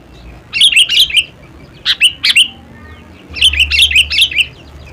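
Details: Song of a sooty-headed bulbul: a phrase of bubbly chirps, then two sharp separate notes, then another lively run of five chirps, all bright and clear over quiet background.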